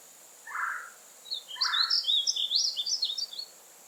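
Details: Painted bunting: two low buzzy notes followed by a rapid, high, jumbled warble of short sweeping notes lasting about two seconds, with a faint steady hiss behind.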